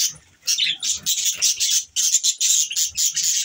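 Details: Pet budgerigars in the morning, a steady stream of shrill, scratchy chirps and warbles, busy and overlapping throughout after a quiet start.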